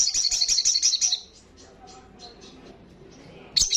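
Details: Olive-backed sunbird in vigorous ngalas song: a fast high pulsed trill fading after about a second, faint scattered twitters, then a sharp high note at the end.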